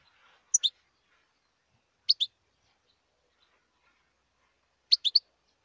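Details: A wild European goldfinch calls in short, sharp, high tinkling bursts of two or three notes, spaced a second or more apart against near silence.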